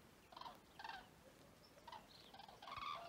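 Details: Common cranes at Vic-la-Gardiole, Occitanie, France, on 25 February 2024: rolling trumpeting calls from several birds, short bugled bursts every half second or so, overlapping toward the end, over a steady background hiss.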